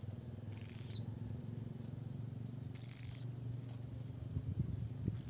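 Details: Blue-crowned hanging parrot (Loriculus galgulus) calling to a rival with very high, thin, shrill notes, each about half a second, repeated every two to three seconds over a low background hum.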